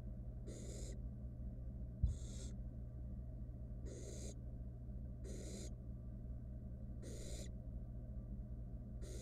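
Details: Barn owl nestling in a wild research nest box, while taking a whole rat: six regular breathy hisses roughly every 1.2 seconds, a single click early on, steady low hum behind.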